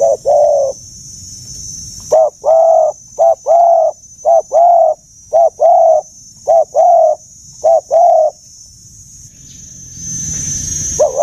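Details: Dove in the old-sounding giọng già rừng sát bổi style repeating mellow two-part coos: a quick note then a longer swelling one, about a dozen in regular sequence, followed by a pause with rising background hiss and one final coo.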